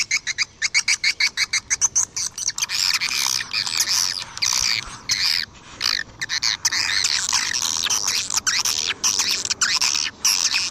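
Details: Lure recording for drawing in swiftlets: a quick series of evenly spaced short chirps opens, giving way to a long unbroken, buzzy chattering twitter of many overlapping high squeaks.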